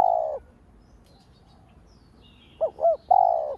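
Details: A lure spotted dove coos to provoke other doves. The tail of a long coo is followed by a quiet gap, then two short rising hoots and another long, smooth coo, over a soft hiss.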